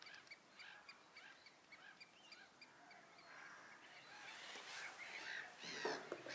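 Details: Juvenile Eurasian Spoonbills begging for food from reluctant adults at the Inlaag Keihoogte near Wissenkerke. Rapid, repeated nasal calls come about twice a second from several young, with a louder harsh call near the end.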